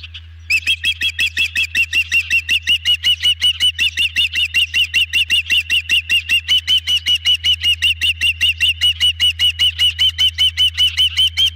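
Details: Ospreys at a nest camera during a big dinner delivery, one bird left stuffed after feeding; a long, steady run of high, sharp chirps, nearly three per second, evenly spaced and unbroken throughout.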